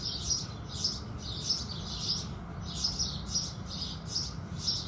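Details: Sparrows chirping at sunrise, a run of softer, blurred high chirps at a quick uneven pace over faint low rumble, as though from a little farther off.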